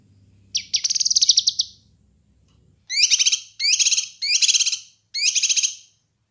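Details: Kinoi bird song used as a master recording for training and luring birds: one long buzzy, rattling trill phrase, then after a pause four shorter buzzy trilled phrases in quick succession, high-pitched and clean with a faint low hum early on.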